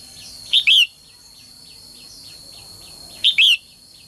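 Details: A female songbird calls to spur males to sing. Two bright paired chirps, each a clipped note plus a longer rising-falling whistle, about three seconds apart, with quieter steady chirping from other birds in between.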